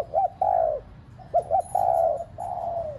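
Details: Decoy spotted dove calling to excite other pet doves: two clipped short coos, then a drawn-out mellow coo sliding gently down, given twice, with a faint high ticking in the background.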